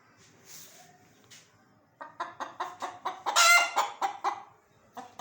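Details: Chicken, rooster and hen, clucking: quiet low murmurs for two seconds, then a fast run of loud, harsh clucks, about four per second, peaking in a brief squawk before trailing off.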